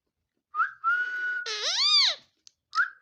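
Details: Pet talking parrot, a mithu, whistling a steady level tone, then a loud, harsh arched squawk rising and falling, followed by a brief whistle.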